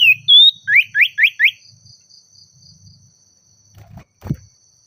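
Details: Oriental magpie-robin calling a rival, agitated: a long sliding whistle, then four rapid rising whistled notes evenly spaced, followed by low murmuring background and a couple of dull thuds.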